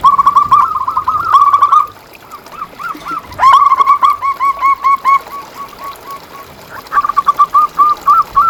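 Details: Zebra dove of local stock, a strong singer, used to train and stimulate caged doves: quick rolling coos followed by evenly spaced soft staccato notes that slow and fade, then another brisk burst near the end.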